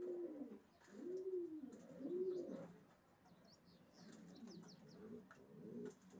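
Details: Racing pigeon giving three clear, arched coos in the first half, then softer, muffled cooing fades underneath, with light high twittering in the background.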